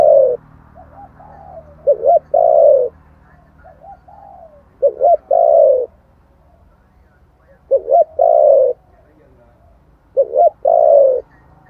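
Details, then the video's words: Spotted dove cooing in the 'thổ' voice, used as a lure for wild doves: four or five phrases of a stuttering two-note start and a drawn, mellow, downward coo, separated by soft murmurs. "tiếng chim cu gáy giọng thổ chuẩn kích bổi nhanh nổi"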